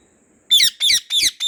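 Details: A pet white rose-ringed parakeet in a garden screeches four times in quick succession, each call loud, raspy and strident, evenly spaced about a third of a second apart.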